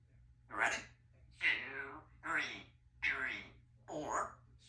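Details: Pet African grey parrot talking indoors: five separate short speech-like utterances about a second apart, each a harmonic voiced sound sweeping down in pitch, with a low steady hum beneath.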